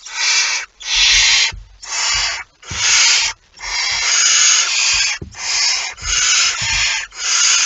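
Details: Barn owl at the nest with prey, September 23, 2019: a nearly continuous run of coarse, shrieking hisses, some long and drawn out, some clipped, with gentle low knocks between them.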